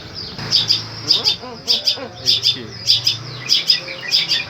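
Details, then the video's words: Long-tailed shrike repeating its 'tembakan' material with good power: paired sharp high chips in regular clusters about every half second, over faint low background sounds. "Burung Cendet "Boomtrack" Full door"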